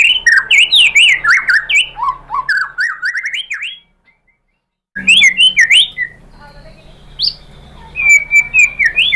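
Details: White-rumped shama, a lure to provoke singing, delivering varied whistled slurs and chattering phrases, then a second of silence, followed by more rapid notes and a short repeated whistle series.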